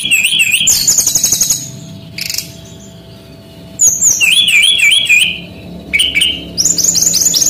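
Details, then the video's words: Energetic male brown-chested jungle flycatcher, a Bali bird used as a tutor for young songbirds, gives looping wavy whistles and rapid high chirp series, with a quiet interval midway. "SUARA BURUNG SRDC BALI ASLI JANTAN GACOR"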